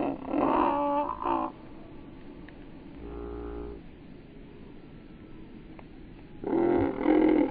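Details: A domestic goose in flight gives loud, nasal, harsh honks in short bursts at the start and end.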